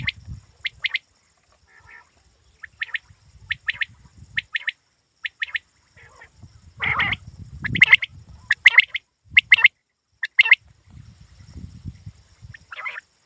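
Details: Quail call for hunting: a steady run of short, sharp high triplets, some louder and raspier, repeated about once a second amid intermittent low rustling.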